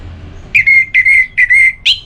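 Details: Orange-headed thrush singing in the ngeplong style, played to stir a sluggish thrush into answering and singing: long, level, clear whistles broken into three held notes, then a brief higher rising note, over quiet background.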